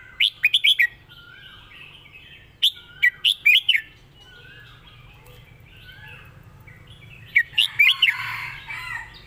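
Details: Red-whiskered bulbul competition song: three bursts of rapid, liquid whistled notes, four to six notes each, spaced a few seconds apart, over light chatter from other birds.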